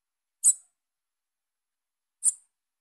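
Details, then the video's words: Calling young female Bananaquit: a pair of brief, shrill, high squeaky notes separated by nearly two seconds of silence, clean and with no other sounds. "FÊMEA DE SIBITE NOVINHA CHAMANDO"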